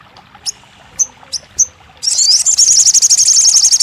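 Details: Crested jay, offered as therapy to get a silent bird singing and answering: four short sharp high whistled notes, then a loud rapid high rattling trill running to the end.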